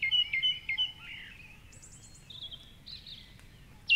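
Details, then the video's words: Dawn chorus in darkness at 4.45am beside the Curragheen River in Cork City, song thrush singing from the top of a tall tree; quick repeated short notes, then scattered high whistles and trills. "Dawn Chorus with Song Thrush"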